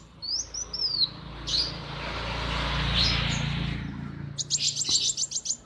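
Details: Kolibri wulung sunbird kept in a cage at a workshop, singing in the morning: high slurred whistles and scattered sharp tweets, mostly drowned for a few seconds by a loud rushing machine noise, then a fast burst of repeated chirps.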